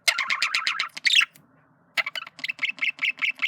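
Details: Male budgerigar flirting with a fast, pulsing chatter of rapid repeated notes, a brief silence, then another run of quick, rhythmic clicking chirps.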